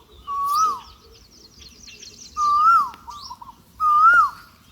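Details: Bird calling near a small field hut on a sunny, breezy day: three clear whistled phrases, each a smooth rising-then-falling note, spaced about one and a half seconds apart, with faint higher twittering behind.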